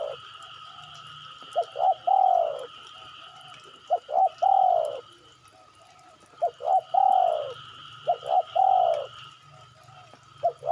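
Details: Spotted dove used as a calling lure: several phrases of two short notes leading into a drawn-out descending coo, separated by short gaps, against a persistent thin whine and low hum.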